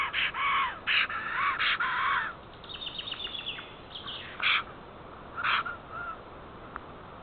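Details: A female black stork at her Estonian nest, 8 April 2014, 10:55, calls her mate who is overdue from migration. Harsh, grating notes come in a quick cluster, then fainter scattered calls, over steady background hiss.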